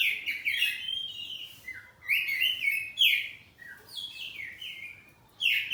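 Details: House-kept kacer poci oriental magpie-robin singing ngeplong with answering phrases; repeated bouts of loud, rich warbled whistles, each starting with a bright stroke and sliding down, returning about every one and a half seconds.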